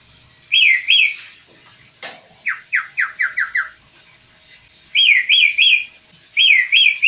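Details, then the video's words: Tame striated grassbird in full song: bright, rolling whistled phrases of three quick notes, with a run of six short falling notes in between and a sharp click partway through. "Burung kaso kaso gacor"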